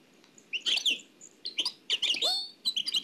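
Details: Nightingale from Oued El Alaiq, taken from an old cassette, giving short scattered high chirps and slurred notes with brief gaps between them.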